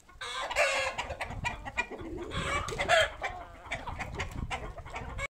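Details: Domestic poultry flock at feeding time, a happy moment for the birds: dense overlapping clucks and harsh squawks from many hens, a busy continuous chorus with louder bursts near the start and around three seconds, ending abruptly.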